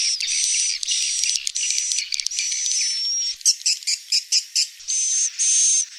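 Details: Swiftlet calls: dense, buzzy high chirping runs steadily for about three seconds, then breaks into short separate bursts with thin whistled notes near the end.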